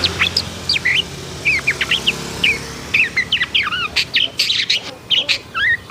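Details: Excited long-tailed shrike singing a varied medley of short slurred whistles, downward and upward sweeps, and a few harsh rasps, packed closely together over six seconds.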